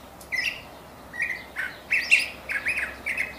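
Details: Curve-billed thrasher giving a string of separate short phrases, roughly one every third of a second, mixing flat whistled notes with harsher, buzzier syllables against a faint background hiss.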